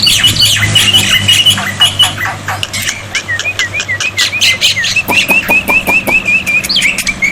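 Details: Black-winged myna song meant to make silent birds respond: harsh scratchy bursts give way to a rapid chatter of short, evenly spaced whistled notes, repeated a few times per second.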